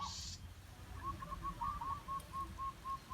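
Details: Decoy zebra dove used for luring wild doves. It gives a quick run of short, clipped, mid-pitched notes, about four per second, steady and staccato. A brief hiss opens the clip.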